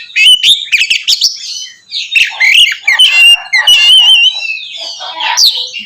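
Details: Oriental magpie-robin pouring out loud nonstop song to goad other magpie-robins, a busy mix of chattering, buzzy rasps and sweet wavering whistles with almost no breaks.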